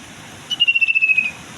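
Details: Common iora in breeding condition, singing eagerly: a single thin, high whistled note drawn out for nearly a second, pulsing in a rapid wavering tremolo and sliding slightly downward, with quiet low rumble behind.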